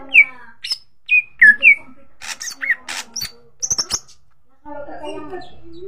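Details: Greater green leafbird song played as a pancingan lure: a few crisp, high downslurred whistles, then sharp clicks and buzzy high notes, fading into a softer warbled murmur at the end.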